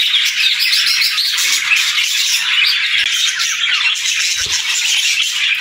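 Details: Many pet budgerigars chirping in the morning, a dense unbroken wash of high chattering and warbling notes from a flock, with scattered squawks and a few soft thumps.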